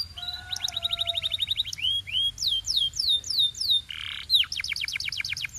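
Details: Canary singing: a rapid chattering trill, slurred downward whistles repeated in series, a short harsh buzzy note, then a fast run of bright repeated notes.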